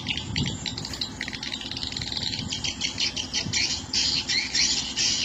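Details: Swiftlet lure sound used in swiftlet farming: dense, rapid high chirps and clicking twitters, roughly two or three per second, over a steady low rumbling background hum.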